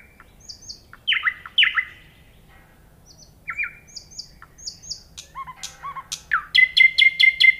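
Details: Common nightingale song of varied phrases: sharp descending whistles and high paired notes, then low warbling notes, building to a rapid, loud repeated trill of clicking notes at the end. The surroundings are otherwise quiet.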